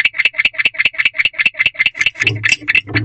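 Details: Chirping male barn owl in a second nest box at night, a call previously associated with courting: a fast, even series of scratchy chirps repeating about every half second, recorded close up, with some low rumbling toward the end.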